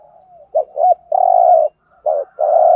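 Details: Short burst of 'thúc gù' cooing from a spotted dove in the 'Thổ' style, a decoy call for trapping: a faint drawn-out tone, two quick notes, then a long, low, even coo and a further note-and-coo pair.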